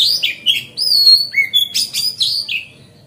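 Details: Lively magpie-robin (kacer) song meant to lure rival birds and make them spread their tails: long clear whistles gliding down and up, interspersed with short harsh rasping notes, delivered in quick succession.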